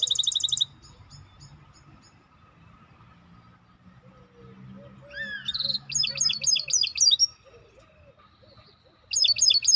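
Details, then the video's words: Maestro bird song in bursts: a short high rattle, quiet gap with soft low chirps, then quick repeated high whistled notes and a final rapid burst. "احلى تغريد مباشر لطائر المايسترو"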